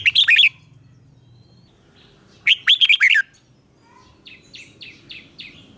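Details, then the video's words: Red-whiskered bulbul in morning song training, 'ché kích bổi' style: two loud bubbling phrases of fast rising-falling whistles about two seconds apart, followed by a fainter series of six short, evenly spaced high notes. "Luyện chào mào hót sáng, QUÁ HAY - CHÉ KÍCH BỔI CĂNG ĐÉT, Cách luyện chào mào hót căng lửa"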